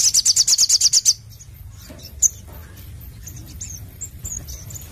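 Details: Sogon, a sunbird, opening with a quick, shrill trill of about ten evenly spaced high notes in one second. Thin, scattered chirps follow over a soft low rumble.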